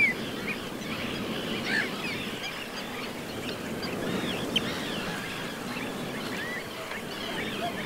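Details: Pied avocets, including juveniles, at the edge of the Suscinio marsh, Morbihan, France, on 23 June 2022 (summer): a busy chorus of short, fluty, looping calls overlapping continuously over low rumbling wind or water noise.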